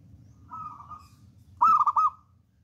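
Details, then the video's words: Vigorous local zebra dove used as a lure. A faint drawn-out coo, then a loud burst of quick warbling trilled notes at the same pitch, ending abruptly. "PERKUTUT LOKAL ALAM GACOR"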